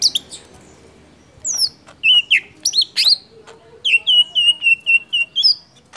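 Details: Golden-fronted leafbird (Chloropsis aurifrons) song, used as a lure to provoke other birds to sing: quick, varied whistles and sharp sweeping notes, then a run of about eight clear, even whistles repeated several times a second.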